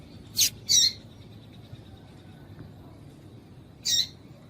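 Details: Calls of a female yellow-bellied seedeater, used to stir up males: a quick pair of high, bright chips, then a pause of about three seconds before a single chip, against faint steady hiss.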